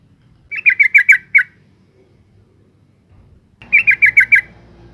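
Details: Female yellow-vented bulbul calling as a lure for males: two bursts of five rapid, scratchy bubbling notes roughly three seconds apart, the second over a low hum.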